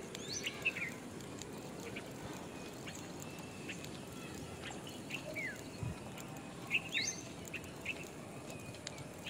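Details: Jungle babblers (Argya striata), a gregarious group-foraging Indian species, give scattered short squeaky notes and harsh chirps, several overlapping, over steady low background rumble.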